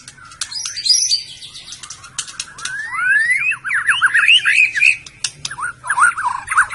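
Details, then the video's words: Murai batu from Medan, the white-rumped shama, in song: high twittering at first, then a run of fast rising and falling whistled sweeps, with scattered clicks between phrases. "kicau burung murai batu medan"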